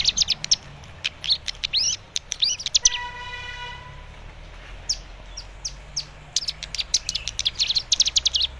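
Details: Young captive cigun practising a song to lure another cigun into singing; slurred high whistles and chirps, interrupted by about a second of steady humming tone, then resumed fast twittering.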